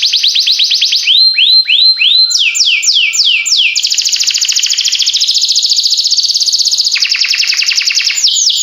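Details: Singing canary moving from quick rolling notes into slower arched whistles that rise and fall. Falling sweeps follow, then a long, steady, rattling trill with a brief lower-pitched section near the end.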